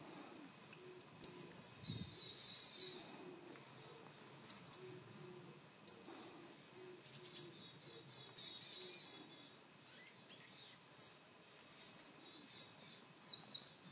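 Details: Willow tit giving contact calls: thin, high tsi notes mixed with harsh, buzzy bursts, repeated in quick clusters about every second; coal tit and varied tit may also be heard.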